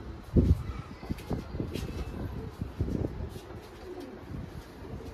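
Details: Pigeons kept on a city rooftop terrace with flowers in Izmit, Kocaeli. A few low, soft cooing phrases. A loud one comes near the start and another around the third second, with faint rustling and distant background noise.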